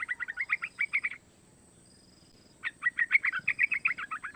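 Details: Yellow-vented bulbul, a young bird of three months, giving a lure call for other bulbuls to learn and sing: two long runs of rapid, evenly paced chattering notes split by a short silence.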